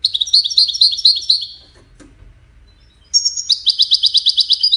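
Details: European goldfinch, named Wedani, gives two bursts of rapid high twittering song separated by a quiet gap with a faint click, the second phrase a buzzy, evenly pulsed trill.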